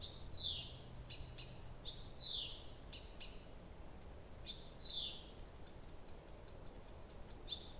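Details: A nightingale sings all night at Abramtsevo at the start of June; loud repeated phrases of bright downward-sweeping whistles alternate with sharp clicks, followed by a fading series of short ticking notes.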